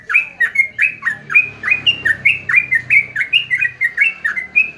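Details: Sooty-headed bulbul delivering crisp, clipped whistles in an even, rolling series, the notes alternately dipping and lifting, with a low rumble behind.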